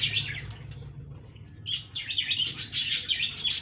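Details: Budgerigars give a loud chirp, pause briefly, then launch into fast repeated high chirps and chatter.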